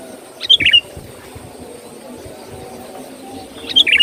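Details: Sooty-headed bulbul lure sound for attracting birds: two short bubbly whistled phrases, each a quick cluster of three or four notes, separated by about three seconds of quiet background hiss.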